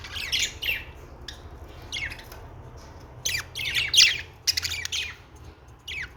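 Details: Pet budgerigars singing: bursts of scratchy, chattering chirps and squawks in rapid clusters, with short pauses between phrases and a low hum underneath.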